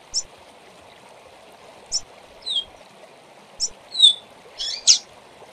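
Double-collared seedeater song: sharp high notes alternating with clear downslurred whistles and a final buzzy note, spaced about every second. Steady hiss runs underneath.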